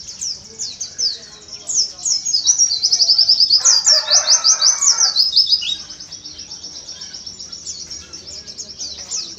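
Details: Oriental white-eye delivering the 'tembakan ziper sambung kolibri muncang' song style: long, fast, high-pitched stream of sharp zipping notes, about three a second, briefly loudest midway with a short burst of background noise.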